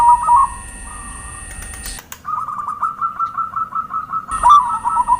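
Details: Zebra dove cooing used as a lure: a soft coo over an electronic whine gives way to an even series of quick, bouncing coo notes, then the whine returns with more coos.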